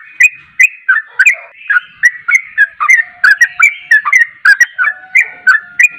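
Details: Vigorous yellow-vented bulbul (trucuk) song, bubbly whistled phrases repeated about three times per second, notes bending up and down over a faint steady hum.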